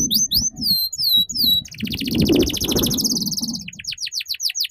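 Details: Canary master song meant to teach young canaries the ngeriwik sound: quick high descending whistles, a long rolling fast trill, then repeated sharp rising slurs. Soft low background noise.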